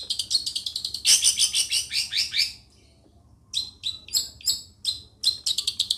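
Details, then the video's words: Long-tailed shrike from Situbondo pouring out a rapid scratchy, jumbled warble, falling silent, then resuming with short sharp mimicked phrases in quick succession. "LANGSUNG TERPIKAT Dengan Burung CENDET Seperti ini"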